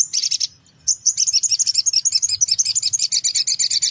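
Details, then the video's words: Sogon pastol singing in the morning as a lure for small birds: a short buzzy burst, a brief pause, then a continuous rapid series of high sharp chirps for about three seconds. "Sogon Pastol Gacor di Pagi Hari Untuk Pancingan Suara Pikat Burung Kecil"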